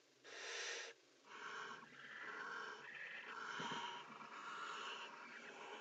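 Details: Nest-box barn owls during mating: one sharp hissing burst, a short pause, then a long run of overlapping rough, wheezy screeches with scratchy, clicking undertones.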